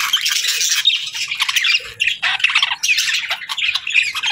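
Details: Budgies chattering nonstop, a busy mix of high buzzy warbles, clicks and raspy squawks from more than one bird, with brief pauses around two and three and a half seconds.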